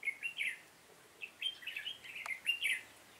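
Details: Decoy red-whiskered bulbul in a trapping session on 7 September 2018, singing loud, clear bubbly warbled phrases of quick rising and falling notes, delivered in bursts with short pauses and one sharp click.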